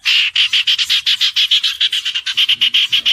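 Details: Common iora song: a steady series of loud, clipped chip notes at a constant pitch, about eight per second for over three seconds.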